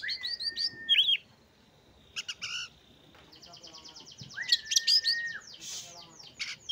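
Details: Oriental magpie-robin song with long level whistles held for nearly a second, rapid chattering and trilled passages, scratchy buzzy notes and sharp rising-falling whistles, delivered in varied bursts.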